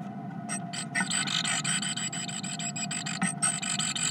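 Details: Two great tits exchange threats inside a nesting box, giving harsh, buzzy, rasping scolding bursts, several per second; a steady low hum runs underneath.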